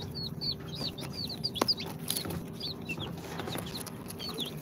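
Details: Baby chicks two days after hatching from an incubator, Sultan, Golden Sebright, Cochin and booted, give clear high descending cheeps in loose bursts, with one sharp knock midway and a constant low hum.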